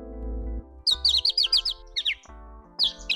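Horsfield's bush lark sings bright, high, rapid twittering phrases in quick bursts, with short pauses between them, over a steady low musical drone.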